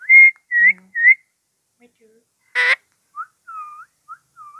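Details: A talking green rose-ringed (Indian ringneck) parakeet gives short, high, whistly phrases: three quick ones, a harsh burst, then several lower, drawn-out notes.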